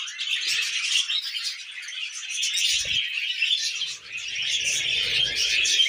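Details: Tame pet budgerigars eating millet, a flock giving dense, continuous high chirping chatter with rapid twittering notes throughout, and a faint low knock near the middle.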